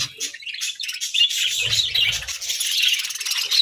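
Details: Pet parakeets chirping in a dense, steady chatter of rapid high twitters and warbled notes, several birds overlapping, with soft low thumps near the middle.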